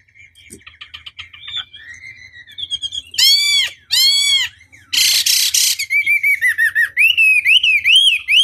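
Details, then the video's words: Hwamei song used as a provoking lure. Soft chatter builds into two loud harmonic whistles and a harsh noisy burst, then a series of clear rising-falling whistled notes repeated quickly. "Pancingan Masteran Wambi Durasi Panjang Efektif Pancing Lwan Agar Nyaut Emosi Gacor"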